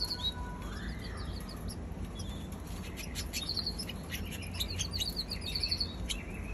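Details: Baby canary giving thin, high chirps in short clusters, with a brief rising whistle near the start, over a steady low background hum.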